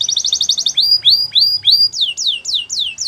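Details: Canary singing: a fast high trill, then rhythmic rising whistled notes, then a run of loud downward-sweeping notes repeated about three times per second.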